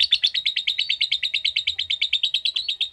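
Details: Lovebird in a long 'ngetik' ngekek. About thirty crisp, high chattering pulses come at an even, rapid pace, close to ten a second, for the full three seconds.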